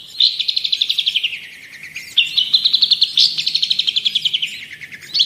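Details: Cendet or pentet, the long-tailed shrike, in lively song meant for tutoring and provoking other birds: three rapid, buzzy, trilled phrases that rise and then slide downward, each lasting about a second.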